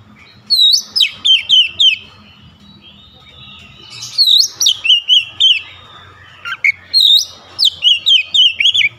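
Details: Kacer, the oriental magpie-robin, in full song with open beak: three rapid bursts of bright, slurred whistles, each notes sweeping down then up, delivered in quick series of five to seven phrases with a faint low hum behind.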